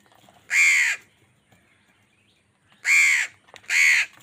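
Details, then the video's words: A crow squabbling angrily with wild birds over food gives three loud, harsh, raspy caws: one early, then after a two-second pause two more in quick succession. "Angry kawa ki awaaz"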